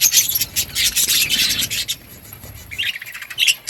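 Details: Budgerigars in a breeding colony, chattering with dense high scratchy chirps and warbles, loudest in the first two seconds, then quieter with a few bright chirps near the end.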